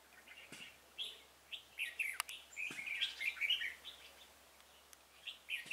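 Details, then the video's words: Decoy-assisted trapping of a wild red-whiskered bulbul, 26 February 2018: repeated cheerful warbled phrases of bubbling, chirpy notes in several bursts, with a few sharp clicks between them. "Bẫy chào mào Bổi lì ngày 26/2/2018"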